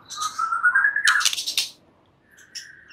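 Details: White-rumped shama at night: a smooth rising whistle leads into a brief harsh, scratchy burst, then near silence and a faint final note.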